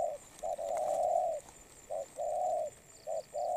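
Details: Wild-caught spotted dove in moult with strong, quick cooing: brief note then extended husky coo, repeated in a steady rhythm, with faint high chirps from another bird in the background.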